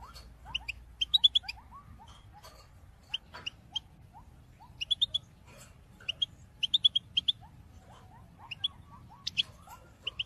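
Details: European goldfinch in 2022, giving its calling song to motivate birds: clipped high tinkling notes in scattered groups of two to five, mixed with quieter lower slurred notes and a low background hum.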